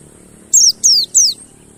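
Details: Mountain white-eye used as a singing lure: three rapid, high, downward-sweeping notes in a row, each about a fifth of a second long, on a quiet background.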